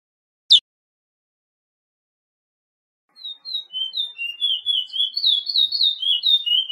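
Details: Suriname curio, the Chestnut-bellied seed finch, giving 'pije pije' training song meant for caged birds: a single sharp click, silence, then soft whistles that build into a steady, rolling chain of wavering whistled notes.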